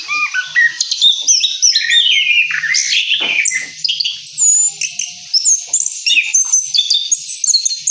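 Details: Orange-headed thrush after its moult, singing in the rolling style: a dense, unbroken run of high, varied whistles, chirps and sweeping slurred notes that tumble on almost without pause for eight seconds.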